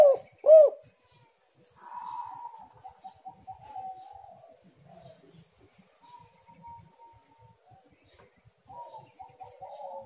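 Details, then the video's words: Spotted dove cooing, used as a lure to make doves sing: two loud arched coos at the start, followed by long stretches of faint, broken, fluttering tones. "tekukur super gacor suara indah sekali, untuk pancingan"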